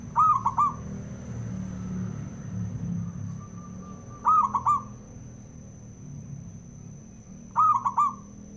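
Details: Male zebra dove song used to provoke other doves: three stuttering, cooing phrases roughly every three and a half seconds, with a faint, thin held tone between them and noticeable low rumbling noise.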